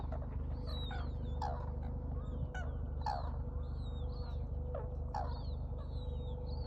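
Red-crowned cranes give loud, ringing honks in an uneven series, roughly every second, over a steady low mechanical hum.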